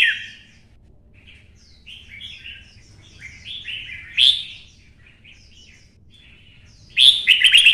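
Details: Red-whiskered bulbul stimulated to sing for fighting in the 'xoắn' style: soft chattering twitters, a loud clear note near the middle, then an energetic rapid burst of chirps.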